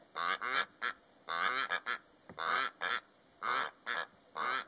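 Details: A pair of Rüppell's korhaans calling in the Namib Desert: harsh, nasal croaking notes in quick pairs and triplets, repeated roughly once a second, with no other clear sounds.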